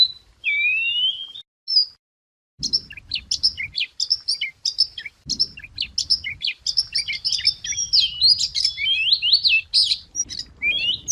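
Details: White wagtail song, recorded as a trapping lure: a looping whistle and short pause, then a long, fast, tumbling twitter of high chirps and slurred notes, with dull knocks in the background.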